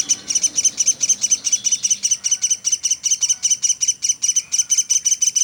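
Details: Woodpecker known as pelatuk sampit, calling without pause for songbird tutoring: quick high-pitched metallic chips run continuously at a fast even tempo, briefly joined by faint lower whistles.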